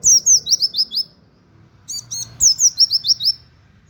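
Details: Indonesian white-eye (pleci) singing as a training model for cage birds: two rapid trills of high, downslurred chirps about a second apart, each six to eight notes, with a quick stuttering burst between them.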